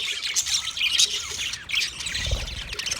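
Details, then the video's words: Short stretch of budgerigar chatter: rapid high squeaks and warbled chirps from several birds, with a soft low thud toward the end. "Parrot Calling sounds, Parrot sound video , Natural Budgie Parrot video , Birds chirping sounds"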